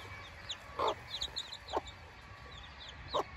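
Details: Silkie chicks, newly hatched and outside for the first time, peep softly at high pitch. Three short, louder hen clucks punctuate the peeps.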